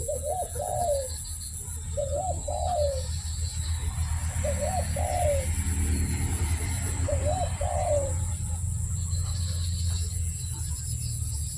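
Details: Barbary dove cooing: four rolling, low two-part coo phrases spaced about two seconds apart, over a steady low rumble and a thin high electrical-sounding whine.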